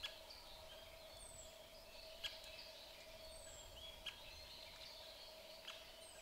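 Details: A male white-backed woodpecker pecks a dead tree searching for food on 20 April 2023, giving sharp, single taps on wood roughly every two seconds, with thin high whistles from other birds and a steady background hum.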